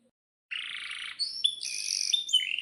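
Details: Brief canary song burst used to coax canaries into singing: a buzzy rolling trill followed by clear high whistled notes stepping up and down.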